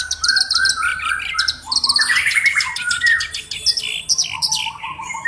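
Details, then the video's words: Black-browed reed warbler in loud, varied song, a bird kept as a singing tutor. Slurred whistles, rising squeaky notes and harsh chattering run together in a continuous, jumbled flow. "BURUNG KERAK BASI ALIS HITAM GACOR"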